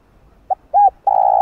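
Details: Spotted dove calling to lure wild birds in the Vietnamese 'thúc gù' style. One short note, a clear arched hoot, then a long, steady coo that is still sounding at the end.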